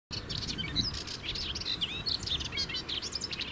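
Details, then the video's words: Melodious warbler singing each morning from the highest top of a shrub along a lane in the Brenne, France; rapid chattering, scratchy warble of varied high notes, with other birds faintly behind. "Heldere zang van een orpheusspotvogel"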